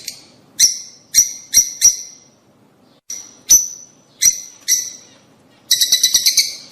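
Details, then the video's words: Calls of rosy-faced and Fischer's lovebirds meant to prompt mating: irregular shrill chirps, singly and in pairs with pauses up to a second, ending in a quick burst of rapid chattering notes. "صوت قوي وفعال لتحفيز طيور الروز والفيشر على التزاوج"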